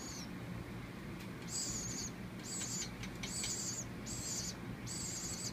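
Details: Young woodpecker taken in after falling from its nest, begging during feeding with a paintbrush; a run of five hoarse, hissing high buzzes after a brief opening one, faint clicks between, low hum behind.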